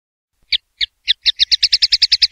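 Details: Common linnet in pardillo limpio, or clean-style, song: a few well-spaced chirps that speed up into a rapid run of bright, evenly repeated notes.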